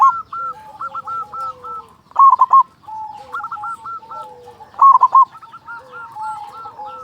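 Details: Zebra dove of a local strain, a strong-voiced steady singer, used to prompt other zebra doves to sing quickly. Two loud, clipped, bubbling coo bursts stand out. Quieter quick repeated notes and low sliding notes sound between them.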